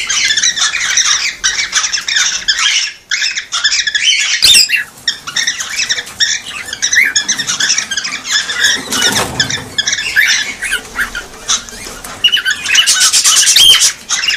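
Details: A long stretch of cockatiel flock calling intended to stimulate breeding: dense chirps and whistled squeaks, a brief hush near three seconds, a sharp knock, and a high whistle late on.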